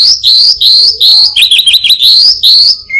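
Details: High, intense rising whistles repeated about every half second by a mimicking orange-headed thrush, broken midway by quick twittering trills. The bird reportedly imitates a prinia, a cat, a cirtu and other birds.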